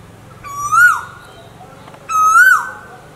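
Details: Two loud Asian koel whistles, from a recording of male and female koels, each rising to a peak then falling, spaced about one and a half seconds apart, faint low hum behind.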